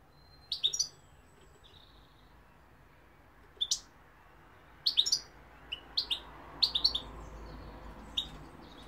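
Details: European goldfinch song. Sparse sharp high tweets come in small clusters, with a longer gap near the start and a livelier run of chirps toward the end.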